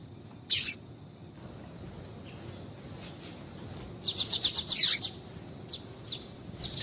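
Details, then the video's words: Female double-collared seedeater calling to stimulate the male: a short burst of very high, thin chirps near the start, then a fast run of sharp repeated high chirps about four seconds in, followed by a few scattered single notes. "Piado de fêmea de Coleiro Chamando Quente para Esquentar Coleiro tui tui"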